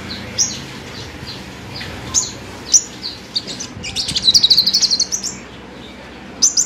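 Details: Caged five-coloured sunbird gives scattered high chips, then a fast rattling trill of rapid repeated notes lasting about a second, followed by more isolated chirps.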